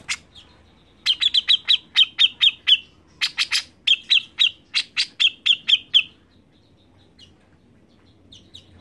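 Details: Grey-cheeked bulbul in full song, played to prompt other birds to sing: repeated phrases that mix harsh, buzzy bursts with rapid trains of bright, ringing chirps for about six seconds, followed by near silence.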